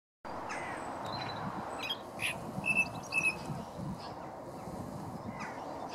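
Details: Song thrush singing beside a towpath near Stoke Lock on the River Wey, Guildford; a few sparse, clear whistled notes with a short run of repeated bright notes midway, over steady low background rumble.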